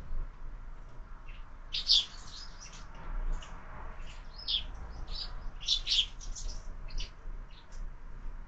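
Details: Several sparrows feeding at a window-mounted feeder at breakfast time, fed all year; bursts of quick bright chirps clustered in loose runs with brief pauses between them.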